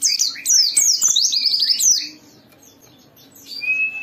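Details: White-eye song played to provoke other white-eyes to sing: two seconds of rapid, high, slurred twittering, then near quiet with a faint distant chirp and a thin whistled note at the end.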